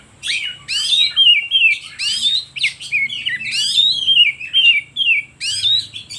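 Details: Lure song of an oriental magpie-robin, meant to stir other birds and wild magpie-robins to sing, with loud sweeping whistles and downslurred phrases repeated in bursts, interleaved with harsh buzzy notes and short gaps.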